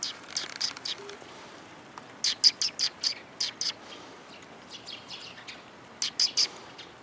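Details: Sparrows gathering to be fed on 4 December 2021, on the outbound walk: scattered bursts of thin, high chirps come in clusters throughout, some clipped and rapid, against a quiet outdoor background.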